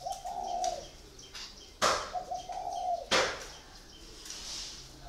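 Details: Caged spotted dove, a decoy bird of four years, gives two long, steady, low coos about two seconds apart. Each coo is followed by a loud sharp snap.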